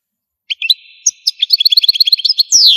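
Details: Short burst of Algerian goldfinch song: after a brief silence, a few scattered chirps build into a fast run of tinkling repeated notes, ending in a long buzzy downward slur.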